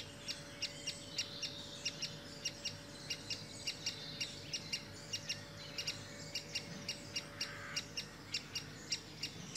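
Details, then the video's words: Great spotted woodpecker adult with young; crisp short calls repeated steadily in a long series, with softer chirping between and a steady hum behind. "Great Spotted Woodpecker & young"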